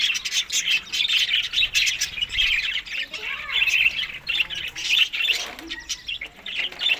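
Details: Budgerigars eating summer food, May–June, Larkana, Sindh; steady flock chatter of harsh chirps and warbled squeaks, with a few lower rising notes underneath midway.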